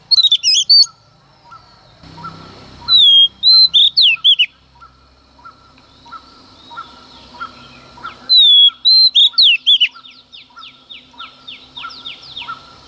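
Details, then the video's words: A female Oriental magpie-robin's early-morning song, used to stimulate males: loud phrases of bright whistles and twitters come in bursts, with steady, regular softer chirps and quick descending notes between them. "Choè than mái hót kích trống hót căng sáng sớm"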